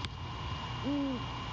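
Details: Great horned owl at a nest near Savannah at night, 17 January 2022, the male returning to his mate as the pair converse; one short arched hoot, rising then falling, over a steady background hum.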